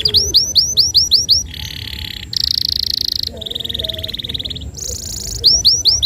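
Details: Canary in full 'gacor nembak panjang' song, used as a tutor for young canaries, delivers rapid high looping whistles, then long buzzy rattling trills at differing pitches and a fast chattering stretch before the looping whistles return.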